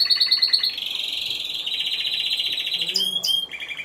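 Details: Timbrado Español canary, caged, singing at a Greek singing competition and show in November 2015, category C2 individual: rapid metallic rolled trills at high pitch, shifting between tours, then brief sharp whistled notes near the end.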